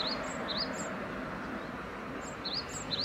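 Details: {'caption': 'Great tit giving a few two-part phrases, an upswept whistle answered by a higher clipped note, with a gap in the middle and a low hum throughout.'}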